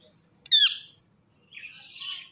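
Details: Indian ringneck parakeet giving a sharp, high, downward-sweeping squawk, then a softer, raspy, high chatter a second later, in a quiet indoor setting.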